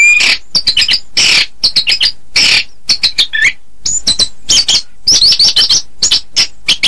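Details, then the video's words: Chestnut-capped thrush singing a dense, hurried medley of high chips, harsh bursts and quick twittering trills, with the notes tumbling close together. "Suara Burung Anis kembang"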